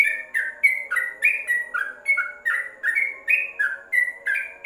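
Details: Yellow-vented bulbul recorded for tutoring while housed in a covered cage: quick, bright whistled notes that step up and down in a bouncy, repeating pattern over a low hum of background tones.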